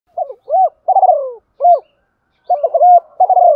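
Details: Caged decoy spotted dove calling to lure wild doves, in the thổ đồng voice style: low coo phrases of a stuttered opening, a long falling coo and a short final coo, repeated twice in quiet surroundings.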